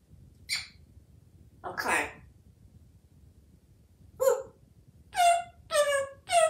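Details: A very talkative African Grey Parrot living in a home in Texas, hatched in 1997. Two short breathy bursts are followed by a pause, then four loud, nasal, harmonic word-like syllables in quick succession, in a quiet indoor room.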